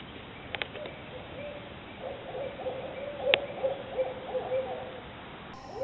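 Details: Owl hooting in a backyard: low, soft hoots in a fast run lasting about three seconds, with a couple of sharp clicks before and during the series.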